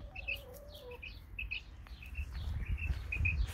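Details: In a garden, an Isabelle female quail sings doubled high chirps repeated about twice a second, with a faint lower whistle near the start and low background rumble.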